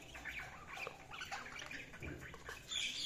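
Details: Budgerigars chirping: a quick run of high, scratchy warbled notes and short squawky chirps, steady and unbroken over a few seconds.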